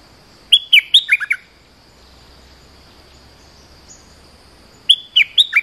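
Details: Bulbul call played as a lure for wild birds: a rapid phrase of bright, slurred chirping notes, a pause of about three and a half seconds, then the phrase begins again. A faint steady high whine runs throughout.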